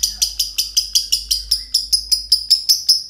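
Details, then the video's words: Two green lovebirds chattering in extended ngekek fashion: quick, evenly paced shrill notes, about five each second, with a raspy edge, continuing without a break above a soft low hum. "Kolaborasi dua love bird hijau ngekek panjang"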